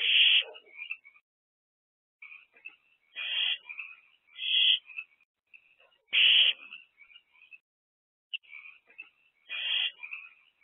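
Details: Nest-box owls on an active April night, 2024. Short harsh screeches recur every second or so, amid a steady background of thin, twittering squeaks.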